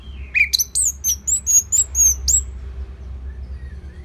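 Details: A steady string of clear, high whistled notes from an Orange-headed thrush, about two per second. Each note is short and slightly slurred, starting after one lower opening whistle. The song is used to train other songbirds.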